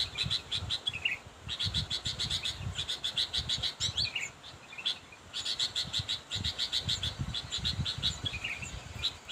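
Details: Calls of a sooty-headed bulbul aimed at a rival, used to lure birds: bursts of fast, even, high-pitched chatter separated by short pauses, with occasional slurred notes and faint low thuds beneath.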